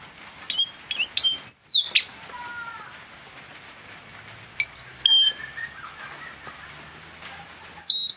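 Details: Blue-rumped parrot kept as a decoy bird to lure wild birds, giving sharp, high whistled notes with bright overtones in scattered bursts, a few lower descending chirps between them, over a steady faint hiss.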